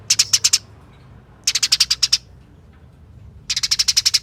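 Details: Eurasian tree sparrow fight chatter meant to draw song from other sparrows: three bursts of about eight quick harsh notes each, separated by roughly a second of quiet hum.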